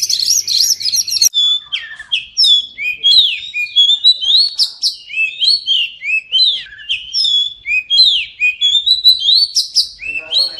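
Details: Oriental magpie-robin song for therapy of silent kacer, prompting them to sing after moult. An opening buzzy chatter leads into a long series of clear, looping whistled notes, each sweeping up or down, repeated at a steady lively pace.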